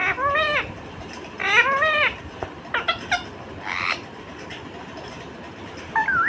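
An Indian ringneck parakeet gives two drawn-out, arching, nasal squawks, then a few quick clipped chirps and a final rising call over a quiet room.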